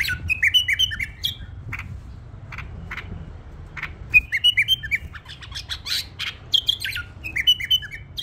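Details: A tame pet bulbul gives bursts of bright, bubbly whistled phrases with short chattering notes, repeated in quick clusters over a low background hum.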